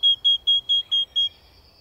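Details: Repeated song of a great tit from a garden birds recording: six identical clear ringing notes in just over a second, evenly spaced, ending abruptly, with a faint higher thin sound trailing after.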